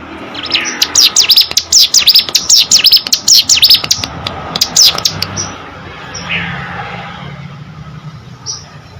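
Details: Hill prinia song opening with a quick flurry of high, dipping notes for several seconds, then fading to a few isolated soft calls over background hum.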